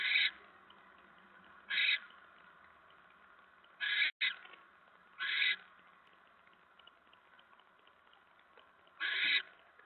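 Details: Barn owl at a nest on a live camera, Nov 10 2017 at 7:50 PM, as a mouse is delivered: five harsh, rasping broadband bursts, each about half a second long, spaced irregularly over ten seconds against a faint steady background hum.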